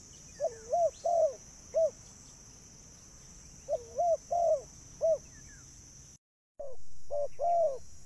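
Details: Spotted dove coos for luring birds, delivered in short bursts of two or three mellow notes with long gaps, over hiss and a high whine, interrupted by a brief dropout.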